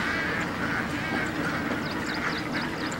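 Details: Hundreds of Indian ducks feeding in dam water produce a thick chorus of nasal quacks, while a small bird's thin, repeated chirps sound above the flock near the end.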